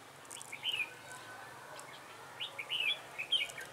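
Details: Red-whiskered bulbul decoy singing to draw wild bulbuls into a trap, recorded 3 November 2017: two bursts of quick, chattering, warbled notes separated by a silent stretch of about a second and a half.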